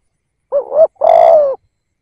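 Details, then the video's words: A single decoy coo from a spotted dove kept to bring in wild doves: a quick wavering first note and a longer, level, mellow second note that trails downward. "chim cu gáy kích bổi nhanh nổi"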